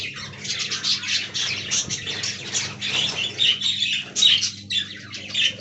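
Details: Aviary flock of budgies, said to be talking, keeping up continuous overlapping squawks and rapid chirps, some notes sharper and whistled, over a faint low mechanical hum.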